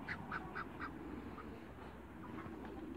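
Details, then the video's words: Waterbirds, two males and one female meeting: four quick nasal quacking notes in the first second, then a few fainter scattered calls over steady background noise. "MEETING TWO MALE ONE FEMALE AFTER THE CREATE WATERBIRDS"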